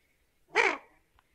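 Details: Common goldeneye giving one harsh, grating, nasal call of about a quarter second. It falls slightly in pitch. The setting is otherwise quiet.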